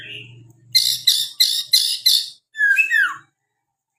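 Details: White-rumped shama (murai) in varied song: five harsh, buzzy repeated bursts about every third of a second, then a swooping whistled phrase falling and rising; low hum at the start, short silence before another note.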